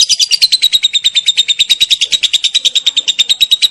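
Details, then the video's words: Champion lovebird in long ngekek chatter, a master recording for training birds: loud, rapid ticking chips, roughly eight per second, very even in pace and pitch, with a faint room background. "SUARA BURUNG LOVE BIRD NGEKEK PANJANG"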